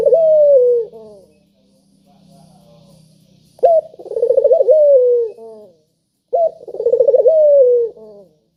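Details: Spotted dove calling, a lure to prompt other doves to call: a sharp opening note, a rapid bubbling roll, then a long falling coo, given twice after a softer first phrase, with a faint low hum beneath.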